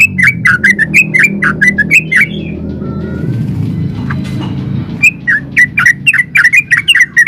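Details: Yellow-vented bulbul in full 'ulpik ropel' song, played as a lure to make other bulbuls reply and sing: quick bursts of sharp chirping notes, a quieter stretch with a faint drawn-out whistle, then the rapid chirps return over low hum.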